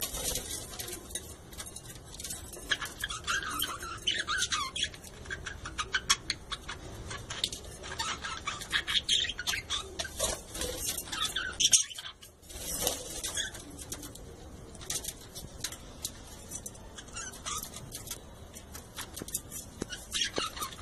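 A budgerigar colony chatters nonstop, with a dense mix of warbling, chirping and scratchy calls.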